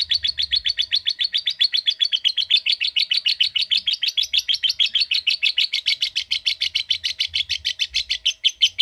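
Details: Lovebird giving the "ngetik" sound, used to call a lovebird into long "ngekek" trills; rapid, unbroken chattering of sharp high notes, several per second, running steadily for nearly nine seconds.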